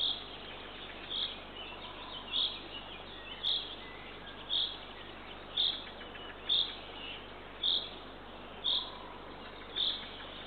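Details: Eurasian eagle-owl owlet at a Northern Estonian nest, seen on a nest camera at 6:21 am on 3 June 2023 during feeding by the female. About ten high, brief rasping bursts repeat roughly once a second.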